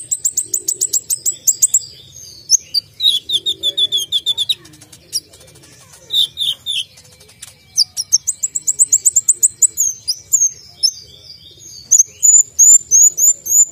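Brown-throated sunbird singing sharp, high twittering bursts and rapid trills, many quick notes per second, with brief pauses between phrases.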